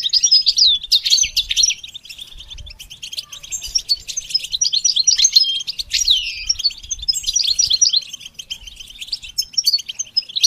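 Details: Goldfinch singing a continuous medley of high twittering phrases, liquid slurred notes and quick chips, delivered in bursts with short gaps throughout.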